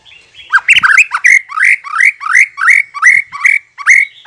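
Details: White-rumped shama lure sound meant to draw a reply: a jumbled harsh opening, then a rapid run of about ten rasping notes that each sweep upward, spaced roughly a third of a second apart.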